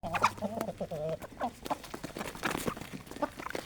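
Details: Healthy Aseel hens gathered at early morning feeding in a village farm, eating desi grain feed; soft wavering clucks and low murmurs in the first half, with pecking and scratching noises throughout.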